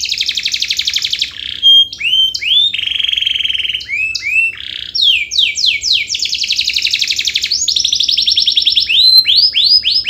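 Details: Canary in loud, sustained song used as a lure to stir lazy canaries into singing: fast buzzy trills, rising and falling whistled sweeps and long rolling phrases, almost without pause.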